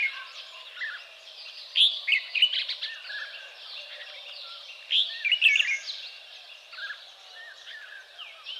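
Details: Red-whiskered bulbul (Pycnonotus jocosus), an escaped cage bird recorded in Kaohsiung, Taiwan, on 30 May 2015, giving bright, chirpy high notes in two quick bursts a few seconds apart, over a steady hiss of other distant birds.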